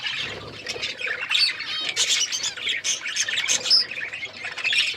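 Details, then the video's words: Budgerigars in Asia chirping while eating seeds: a continuous, loud flock chatter of overlapping warbles, squawks and buzzy chirps, dense and unbroken throughout. "budgies chirping sounds"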